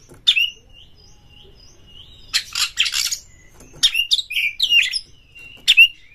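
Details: Kacer, the Oriental magpie-robin, singing to provoke a rival fight: isolated sharp whistled notes, then clusters of rasping buzzes and slurred whistles, ending with a single bright chip.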